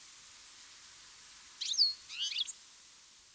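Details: A European goldfinch in mid-August, in good weather, gives two quick, bright twittering calls, high and liquid with a slight buzz, half a second apart, over a faint steady hiss; one bird moves its whole body as it calls.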